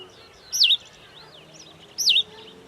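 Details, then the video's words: Cape sparrow giving two high, looping chirp notes roughly one and a half seconds apart, with softer twittering faintly in between. "Cape Sparrow"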